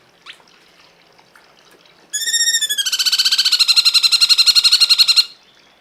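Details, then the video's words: Cungkok in a masteran (tutor recording for songbirds). After a quiet start, a loud, rich, buzzy harmonic trill of rapid, evenly pulsed notes begins, rising slightly at first, then holds steady for about three seconds before stopping abruptly. "masteran burung cungkok"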